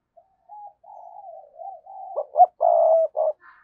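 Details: Lure spotted dove urging and calling, recorded 2022: a run of soft, low wavering coos building into a loud phrase of short clipped notes, a long rolling croo and a closing note.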